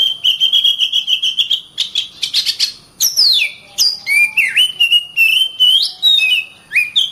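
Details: Oriental magpie-robin, known as kacer, singing in the continuous 'gacor rapat' style: a rapid run of whistled notes, steady at first, then sweeping downward and rising in varied slurs, with barely a pause.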